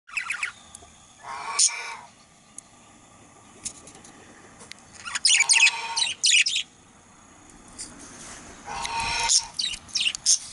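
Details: A male budgerigar chatters in scattered bursts of scratchy, buzzy chirps and warbles. Several loud outbursts are separated by quieter pauses, with a faint background hiss.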